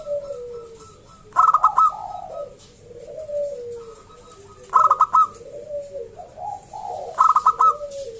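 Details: Loud local wild zebra dove singing to lure other zebra doves into song: three sharp phrases of rapid clipped coos spaced roughly three seconds apart. Softer, falling, lower-pitched coos fill the gaps.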